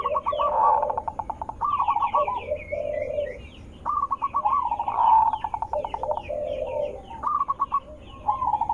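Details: Loud, melodious zebra dove voice used as a lure so other zebra doves call back: rapid staccato coo series alternating with lower, burry cooing phrases, some phrases overlapping.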